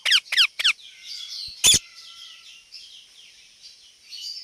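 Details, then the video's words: Indian parrot (rose-ringed parakeet) giving three quick harsh screeches, a pause, then one more loud rasping squawk, followed by faint chatter and background hiss. "Indian Parrot Talking and Making Sounds"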